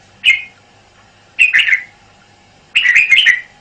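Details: Three bursts of bright, bubbling whistles from a caged red-whiskered bulbul, each phrase longer and more warbled than the one before, with clear pauses between them.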